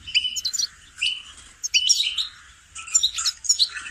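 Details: Goldfinch song played as a singing lesson for training songbirds: short bursts of bright, twittering high notes with quick slurred chirps, separated by brief pauses, about four phrases in four seconds.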